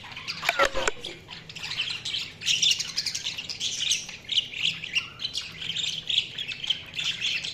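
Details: Budgies chattering steadily in a lively wash of high chirps and squeaky warbles, opening with a few sharp clicks, then rhythmic pulses of twittering through to the end.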